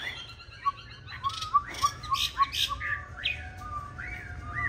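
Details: Green-bean-eyed Chinese hwamei fighting song for training other hwamei: soft, clear whistled notes repeated about every third of a second, with brief harsher bursts mixed in and rising slurs toward the end, fairly quiet overall.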